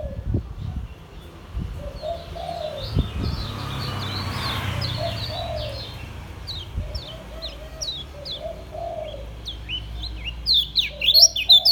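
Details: Caged Lombok yellow white-eye (kecial kuning) singing in the relaxed ngejos style: rapid strings of short, high, downward-slurred chirps, repeated quickly, with soft lower cooing of a dove in the background.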